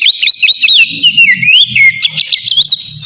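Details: Oriental magpie-robin giving loud ngeplong song that calls a rival and serves as a lure for other birds: continuous wavering, sliding whistles with fast twittered notes and a low rumble beneath.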